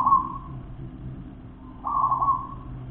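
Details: Local wild zebra dove giving two drawn-out, slightly wavering coo notes, one at the start and one near the end, separated by a quiet gap, over a low steady background hum.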